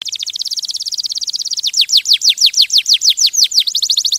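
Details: Canary song: a rapid trill of high notes, then slower repeated downward-sweeping whistles about three per second, all very high-pitched and clean with no other sounds.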